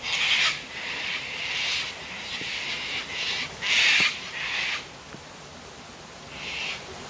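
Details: At sunset on 19 May 2024, cockatoos gather to drink at Tanninaba Falls in Springbrook, giving loud grating screams in a run of overlapping bursts, then a pause and one last squawk, with waterfall roar underneath.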